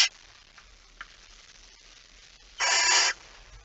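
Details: Male barn owl delivering a mouse at night, 17 September 2019: mostly quiet background with a faint tick, then a single loud, harsh hiss lasting about half a second near the end.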